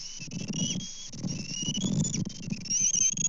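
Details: Bald eagles at a nest in Kansas on 24 May 2024, recorded by a live nest camera during a breakfast fish delivery. High, thin whistled squeals slur and waver repeatedly over a low rumble of wind and rustling.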